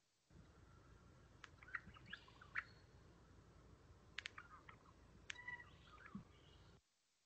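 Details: Regent Honeyeater giving a typical Blue Mountains song, the form most wild birds still sing west of Sydney, played back: scattered sharp high notes and short warbled phrases over about six seconds, with gaps between bursts.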